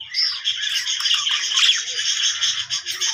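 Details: A cheerful pet budgerigar warbles nonstop, a dense stream of squeaky chirps, trills and sliding whistles with a slight rattling quality, recorded indoors.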